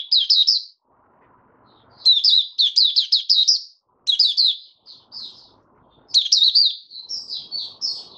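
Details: Male white-eye (mata puteh) working through its opening song (buka sing), dated 08012022: lively runs of thin, high, rapid chirps and trills, some phrases long and dense, others short, with soft background rustling between.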